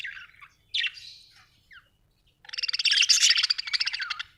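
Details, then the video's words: Budgerigar chirping: scattered high chirps and a short upward note, then a dense burst of rapid buzzy chattering warble in the last two seconds. "Budgie chirping sound"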